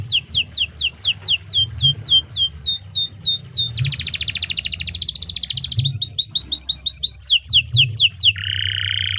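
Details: Canary singing a long 'gacor panjang' song used as masteran for tutoring other birds: rows of rapid downward-swept whistles, then a dense buzzy rattle, a pulsed trill and a level buzzing note, over a low steady hum.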